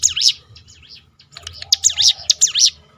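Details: Shrill swooping notes of a hill prinia, meant to coax other birds to sing. A short burst comes first, then after a brief pause a denser run of sharp rising-and-falling whistles, over faint low background noise.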